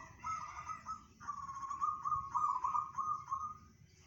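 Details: Singing local zebra dove (perkutut), 'bedah karang' style: a short rolling coo followed by a sustained two-and-a-half-second trilled phrase of rapid pulsed notes, steady in pitch, over a continuous low background rumble.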